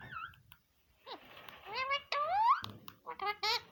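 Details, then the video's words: Talking green parrot in a small room, producing warbled, voice-like syllables that swoop up and down in pitch, some nasal and harmonic, in uneven bursts with short gaps between phrases. "green parrot mitu bachy kahtay howay"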